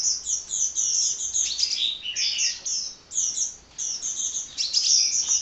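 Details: Continuous shrill twittering of a hummingbird (kolibri) that keeps singing. Rapid chips and short descending slurs come in clustered runs, with only momentary breaks between bursts.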